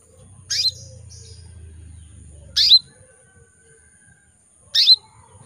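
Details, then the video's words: Canary hen in breeding condition calling for males, giving three sharp chirped notes about two seconds apart, the first followed by a brief soft twitter, with a quiet low rumble underneath. "PANCINGAN KENARI BETINA MEMANGGIL JANTAN"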